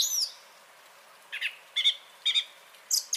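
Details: Song thrush in song on 30 January 2021: a high thin whistle, a pause, then short bright phrases repeated in pairs and ending with high squeaky notes; no other sounds.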